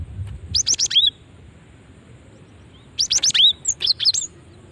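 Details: Female cinereous tit luring call meant to draw responses from other birds; a fast run of high chirps closing with a falling whistle, then a longer double burst after a short silence.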